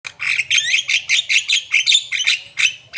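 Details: Javan myna in energetic song: a rapid series of harsh, buzzy notes with whistled overtones, about two and a half bursts per second, evenly loud and close.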